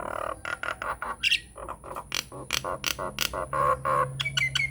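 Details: Nias hill myna lure song meant to make other mynas answer; loud harsh squawks and clipped notes delivered in quick uneven bursts, about three per second, mixed with a few short whistles, over a steady faint electronic tone.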